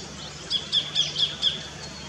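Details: Sacred kingfisher in an Australian backyard: five loud, sharp, identical high notes, each about a quarter second apart, over faint low hum.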